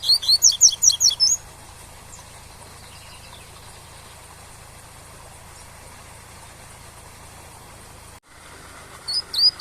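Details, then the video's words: Captive double-collared seedeater singing a tui-tui style song used to teach young birds, set over waterfall sound: a quick burst of sharp whistled notes opens, then steady rushing water, with a few more notes near the end. "ENCARTE TUI-TUI com Som de CACHOEIRA para Ensinar seu COLEIRO PARDO"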